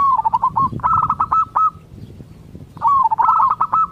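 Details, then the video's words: Local zebra dove song played to make other zebra doves answer: two bursts of rapid, stuttering, bubbling coos with a short trill, separated by a quiet gap, over low background rumble. "Cukup Dengarkan Suara Ini Perkutut Lokal Bahan Anda Akan Nyaut"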